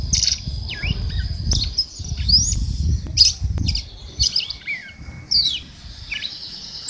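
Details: Red-cowled cardinal female giving male-like song, a string of clear high whistled phrases and sharp chips spaced about a second apart, with a long level whistle near the end and low background rumble.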